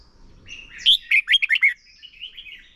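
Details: Red-whiskered bulbul, a caged lure bird singing competitively for training, delivers a short phrase of five or six quick, bright whistled notes after a soft, thin lead-in, then falls quiet.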